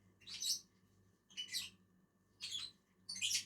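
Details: Pair of lovebirds feeding on a tree branch: four loud, harsh, high-pitched screechy chirps about a second apart, with a low hum in the background.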